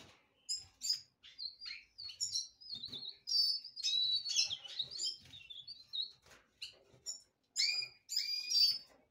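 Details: Black-throated canary of the subspecies somereni singing: a lively stream of high, varied twittering phrases and sweet warbles, with short trills and rising and falling notes that come in bursts separated by brief pauses.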